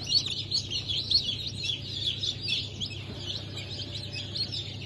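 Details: Fresh hatch of chicks from Brahma, Sussex, Sultan and İspenç chickens, dated 10.02.2023: a crowd of shrill, short cheeps repeated quickly and overlapping, with a constant low electrical hum underneath.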